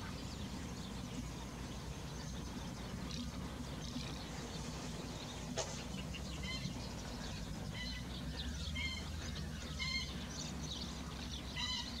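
A spotted crake gives short, sharp whipping notes repeated about once a second in the second half, over a steady low rumble of wind or distant noise.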